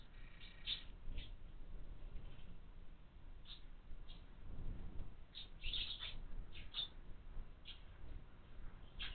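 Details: Nestling house sparrows begging in a window-mounted feeder, with bright short chirps in irregular bursts, busiest around the middle, over low background rumble.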